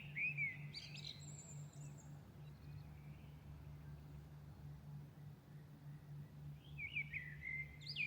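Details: Birds in Milan singing at dawn: a loud tumbling whistled phrase with high thin notes, a long hush filled only by a low hum, then another bright warbled phrase at the end.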